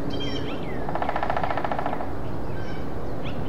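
Hairy Woodpecker giving a rapid, even rattle of about eighteen sharp notes packed into one second; faint thin chirps from other birds come before and after.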